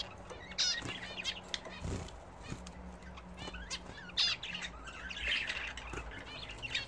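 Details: Captive budgerigars at bathing time: sparse high chirps and short squeaky notes in scattered bursts, softer than the rest, with wing flutters and splashing-like thumps between calls.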